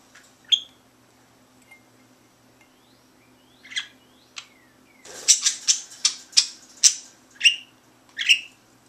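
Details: Pet bird indoors in a bird room, sticking its head into a glass of water and singing to make its voice echo: scattered sharp chirps and short whistles, then a burst of loud, ringing clicks and calls.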